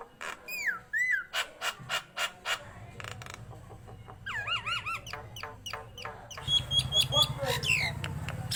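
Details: Nias hill myna in full voice: sweeping whistled slurs, a run of rhythmic harsh bursts, then wavy warbled whistles and high piping notes over a steady low mechanical hum.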